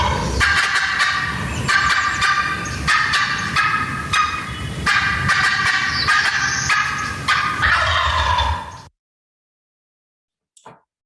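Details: Riled-up adult wild turkey hen cutting, a piercing call used to assemble the flock. Fast, irregular, sharp raspy clucks run about three per second for nearly nine seconds, then stop abruptly.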